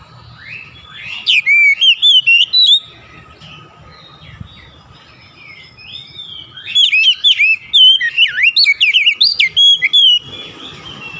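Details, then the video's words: Oriental magpie-robin singing a loud, varied whistled song in two bursts, rich rising and falling notes and quick slurred phrases separated by a quiet pause, with a faint low hum underneath. "SUSUNAN KICAUAN KACER YANG INDAH DAN ENAK DI DENGAR"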